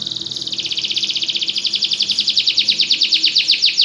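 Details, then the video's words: Belgian canary song: a sustained fast trill of high, evenly pulsed notes that grows louder and slightly slower over its length. "espetacular canto canário belga"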